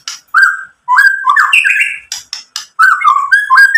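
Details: White-rumped shama singing to stir other shamas into reply: mellow whistled notes in short phrases split by pauses, interspersed with scratchy clicks and chatter.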